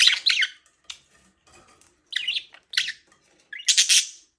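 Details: Budgerigar chirping in short, loud bursts of buzzy, squawky chatter separated by silent gaps, ending with a harsh, noisy squawk.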